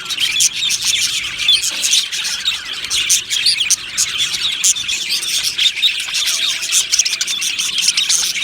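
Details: Australian budgerigar colony in an aviary keeps up constant lively chatter. Many high chirps and scratchy warbles overlap, with short louder bursts, and a thin steady whistle is briefly heard near the end.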